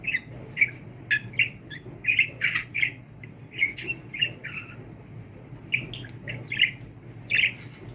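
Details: Talking pet budgie running on without pause: strings of short raspy, warbled syllables with occasional harsh squawk-like notes and a few quiet gaps.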